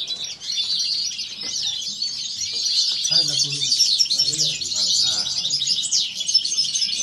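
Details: European goldfinch delivering its kawasaki phrase, given two to five times in a row: a dense, continuous run of high twittering and buzzy trills with quick rising and falling notes. Low voices murmur faintly underneath.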